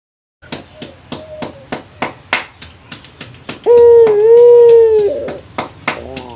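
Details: Male local Barbary dove calling a rival: sharp taps and clicks at first, then one loud, long, steady coo with a slight dip in the middle, followed by a short fluttering note.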